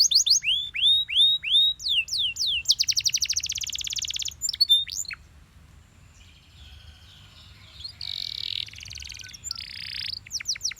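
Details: Belgian canary singing in the morning: a run of repeated high downward-curving whistles, then a fast rattling trill, a quiet pause, and buzzy sustained notes near the end.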